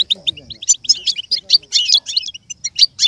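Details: Goldfinch song as a learning model for a goldfinch: rapid twittering chirps with liquid, tinkling trills, rising and falling in loudness throughout.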